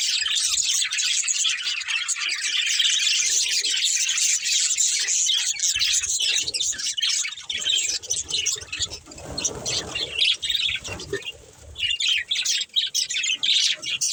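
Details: Playing budgerigars chatter in an unbroken, busy stream of high chirps and warbles. A rumbling, noisy stretch in the middle partly covers them before the chatter clears again.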